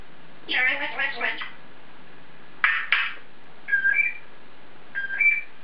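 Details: Caged African grey parrot chattering to itself: a stretch of mumbled speech-like babble, then two short clipped phrases, followed by two brief whistled two-note figures.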